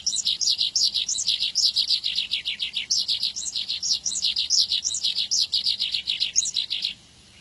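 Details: Horsfield's bush lark (Mirafra javanica) song: a fast, continuous stream of high, thin chirps and trilled notes, run together without pause for nearly seven seconds.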